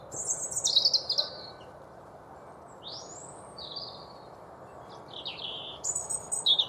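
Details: European robin in Chesterfield, Derbyshire, UK, singing to keep his territory: varied high, thin warbling phrases, sweeping rising and falling slurs separated by short pauses, ending in a sharp high burst, with faint low background hum.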